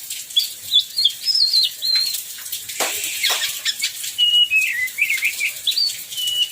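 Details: Oriental magpie-robin singing in heavy rain, used to lure other magpie-robins into song: sweet whistled warbles in short runs, a loud splash near the middle, and a steady wash of rain throughout.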